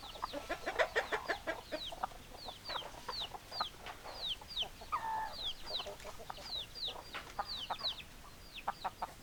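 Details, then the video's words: Chickens with hens clucking: a crowded mix of high arched peeping notes and brief clucks, plus one short, held, nasal note midway. "Chicken Sounds Noises Hens Clucking Roosters Crowing"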